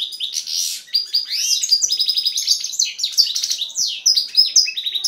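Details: Powerful song of a male hybrid between a goldfinch and a female canary, a rapid unbroken stream of chirps, upward and downward swept whistles and rattling buzzy trills, loud and high.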